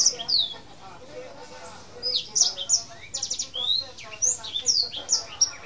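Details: Male Black-throated canary, tame, singing a rolling song of bright, high, falling notes and quick trills in irregular bursts, with faint lower chatter in the background.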